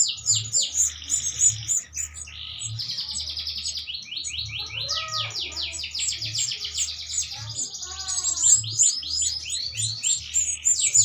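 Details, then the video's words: Canary mating while feeding its young, sound used to raise breeding urge: continuous high chattering song of quick falling notes and rolling trills, a few lower chirps, and a regular low thumping beat underneath. "Kenari Kawin Saat Meloloh Anaknya"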